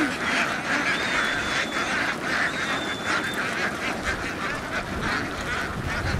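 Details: Vietnamese laying ducks moving as a flock from a field onto a boat, giving a busy, uneven stream of harsh quacks several per second, with a thin high whistle drifting over the din twice.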